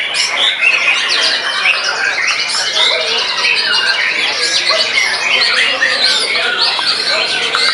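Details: Post-moult white-rumped shama in a frenzied song bout, described as overpowering a rival: continuous rich mix of rapid whistled phrases, chattering trills and scratchy squawks, packed tightly together.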